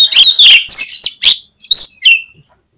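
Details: Oriental magpie-robin in full, prolific song, used as a lure to fire up competing birds at a songbird contest; loud, clear whistled notes sliding up and down, delivered in quick separate bursts with short gaps.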